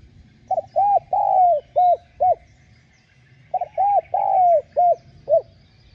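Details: Spotted dove cooing, played to stir caged doves into calling: two phrases about three seconds apart, each with short hollow coos building to a longer drawn, falling note, then two more clipped coos. Faint low rumble underneath.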